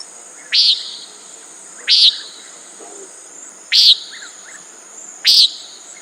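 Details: Common nighthawk repeating a rasping, nasal one-note call four times in six seconds at fairly even intervals, over a constant shrill insect hum.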